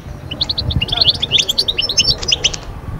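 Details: European goldfinch singing a fast, continuous string of high tinkling twitters and chirps. The song is used to stir moulting birds into summer and mating-season mood. A soft low rumble runs underneath.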